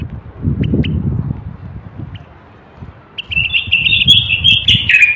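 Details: Male Moroccan common bulbul song for encouraging males to sing and preparing females for mating. Scattered soft notes and low rumbling come first, then a two-second flowing, slightly descending whistled phrase.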